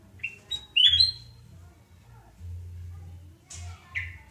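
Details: Sooty-headed bulbul singing on a morning at home in Surabaya, 29 November 2017: an opening run of clear, ringing whistles, then a pause and a couple of harsher slurred notes, with low hum behind.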